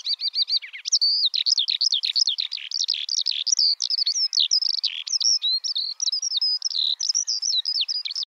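A Eurasian skylark pours out a continuous, rapid stream of high, liquid chirps, trills and whistles without pause, with little else audible.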